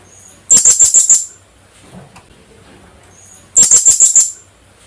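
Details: Philippine hanging parrot, the kulasisi, calling in two rapid chattering runs of five or six piercing high notes each, about three seconds apart.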